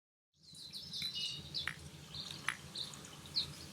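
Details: Grey-capped greenfinch feeding on sunflower seeds on 27 April 2024 at 10:55, crushing the seeds rather than splitting them; soft high chirps scattered through, with a few sharp clicks and a low steady background rumble.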